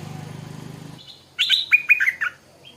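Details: A short bubbly phrase of liquid, falling notes from a stripe-throated bulbul in the morning, preceded by a low rhythmic hum.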